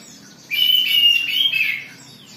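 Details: Oriental magpie-robin singing in an agitated state meant to spur others to sing, delivering one sustained, high, whistled-warbling phrase lasting under two seconds with a brief dip in the middle, background otherwise quiet.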